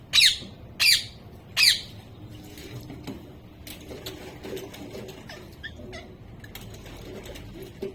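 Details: A talking pet parrot, a mitthu, gives three loud, harsh, broadband bursts in the first two seconds, roughly one every 0.7 seconds, then only faint scattered clicks and low indoor hum.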